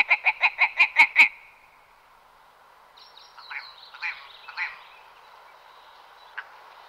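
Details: Willow ptarmigan (Lagopus lagopus) giving a quick run of about seven harsh, croaking clucks, then a pause and a few softer nasal, scratchy notes.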